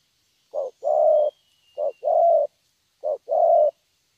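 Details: Young wild-caught spotted dove singing in the prized thổ voice style, three low cooing phrases, each a short note followed by a longer hummed coo, with a pause of about a second between phrases. Faint high background hiss.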